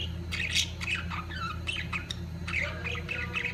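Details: Budgerigars at the peak of their mating season, giving a busy stream of short squawks and chirps with warbling notes, a steady low hum running underneath throughout.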